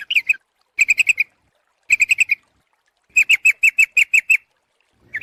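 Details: Bird-luring call of a sooty-headed bulbul: short clipped bursts of three to eight crisp chirps, separated by clean pauses of about half a second.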